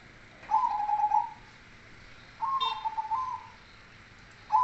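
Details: Zebra dove, cemani kolbuntet type, with a deep bass song: rolling, pulsed coos in phrases about a second long, separated by short gaps, a faint chirp from another bird in the background.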